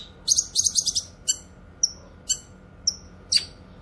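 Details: Grey-cheeked bulbul (cucak kinoy), used to train songbirds and lure wild kinoy: quick buzzy stuttering notes at the start, followed by four sharp high chirps sliding downward, spaced roughly half a second apart.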